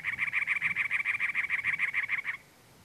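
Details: Male cactus wren on territory among teddy-bear cholla, Anza Borrego State Park, California, April: a quick chattering series of about fourteen harsh, rasping notes, loud and regular, ending after two seconds into quiet desert background.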